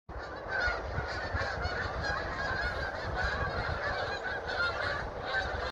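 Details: Geese flying in formation on migration; a continuous overlapping chorus of nasal honks from many birds over a steady rushing background.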